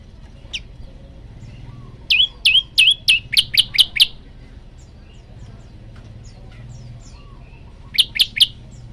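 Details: Male olive-backed tailorbird calling a female: a single chirp, then a fast tumbling run of about eight high sharp notes, a pause with faint twitters, and a closing trio of chirps.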